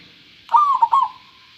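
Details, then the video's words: A local zebra dove with a pure voice gives one short phrase of three or four rolling coos fading into a soft sustained note. "perkutut lokal suara jernih"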